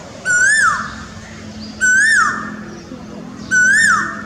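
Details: Asian koel singing from a pilkan tree facing a house in Delhi: three loud, clear whistled notes, each rising then sliding down, repeated about every one and a half seconds.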